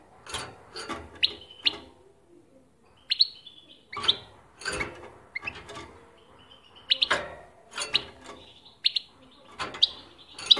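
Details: Caged European goldfinch answering playback of its favourite song, giving short bursts of bright twittering and tinkling notes in clusters every second or two, with soft clicks and quiet gaps between phrases.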